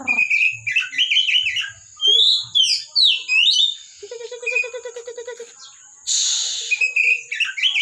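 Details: Captive Oriental magpie-robin from a private collection, singing steadily. The song is rich and varied: high whistled slurs and chattering phrases, then a rapid buzzy run of repeated notes. A brief burst of hissing noise comes near the end.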